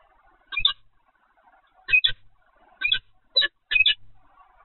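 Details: Peregrine falcon captured on the Evoluon camera, 7 February 2020 at 15:55. Five harsh, scratchy double-note bursts arrive roughly every second, with near silence between them.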